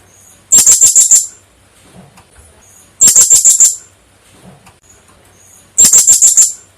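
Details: Blue-crowned hanging parrot, lure call for trapping: three bursts of rapid shrill, very high ticking notes, about six per burst, spaced roughly every two and a half seconds, quiet between.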